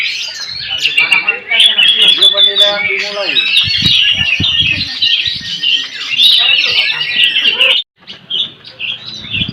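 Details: An Oriental magpie-robin at a songbird contest in Kebumen, Central Java, which escaped before judging yet went on to win first place, pours out a dense, rapid song of bright whistles and scratchy chatter, almost without pause, while men talk nearby.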